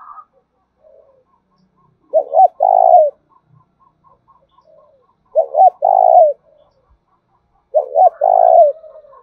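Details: Spotted dove lure call in the thổ đồng voice style to stimulate calling: three evenly spaced phrases roughly every three seconds, each two short coos and a long vibrating coo, with faint ticking between.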